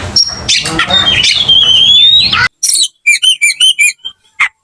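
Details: Aggressive fighting song of an Oriental magpie-robin: a long rising and falling whistled phrase over chatter, then a sudden stop and a series of short sharp ringing notes repeated quickly.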